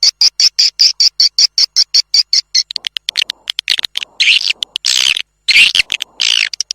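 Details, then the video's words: Swiftlet calling sound of the "tombak raja" type, used by swiftlet farmers as a lure for nesting houses: a steady series of short high chirps opens, giving way to irregular buzzy, grating bursts. "SUARA WALET TOMBAK RAJA"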